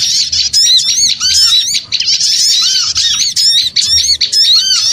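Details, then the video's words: Lure sound of small birds, rapid repeated hooked chirps and harsh squeaks overlapping continuously, with rounded downslurred notes recurring roughly every second. "Suara Pikat Burung Kecil Ribut Ampuh"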